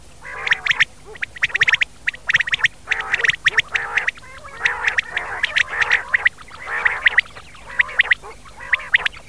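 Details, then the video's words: Rain quail call recording played at night for hunting: loud, harsh, buzzy notes in paired and clustered bursts, repeated roughly once a second with uneven timing, over a steady low hum. "for night cassette /quail sound/batair vice"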